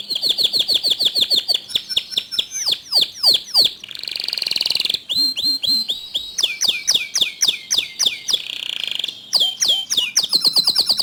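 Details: Canary song meant to start other canaries singing: a varied, nonstop sequence of fast trills, steep falling whistles and buzzy rolls, changing phrase every second or two.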